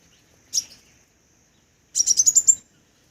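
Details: One sharp high chip, then after a pause a fast trill of about seven thin, high notes rising slightly in pitch, from a crimson sunbird.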